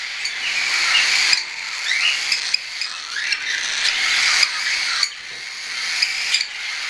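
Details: Young hand-tame cockatiels, some weaned and some not yet, while flying, recorded 10 September 2012: short rising chirps scattered over a steady hissy background chatter, several birds calling at once.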